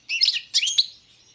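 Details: European goldfinch of the Balkan form, carduelis balcanica, giving two quick bursts of bright, twittering, tinkling notes high in pitch, separated by a short pause, with no other sounds.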